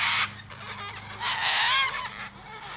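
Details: Cockatoo calling with a short harsh squawk, then a longer rising and falling raucous screech, and a quieter call trailing off at the end.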